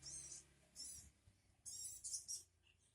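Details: Calling sogon bird used as a lure for a responding sogon: several short, hissing, scratchy screeches, some doubled in quick succession, over soft low background noise.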